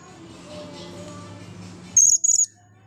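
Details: Blue-crowned hanging parrot, dry after its bath, utters two sharp, very high-pitched shrill bursts in quick succession after a stretch of low hum and faint tonal background sounds.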